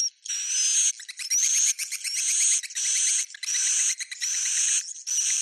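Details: Roosting calls of swiftlets, Bhayangkari style: rhythmic, roughly one-second buzzy bursts, each carrying a faint rising whistle, separated by stuttering clicks, about seventy per minute.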